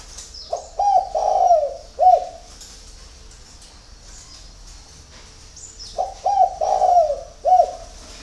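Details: Spotted dove singing in the early morning: two deep, mellow cooing phrases of short hooked notes and a longer drawn coo, about five seconds apart, over a quiet background with faint higher chirps.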